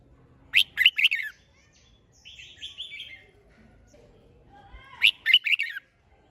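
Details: Red-whiskered bulbul, kept as a caged competition songbird, singing short bright phrases of four or five quick warbled notes, repeated twice with a softer rippling phrase between; quiet background otherwise.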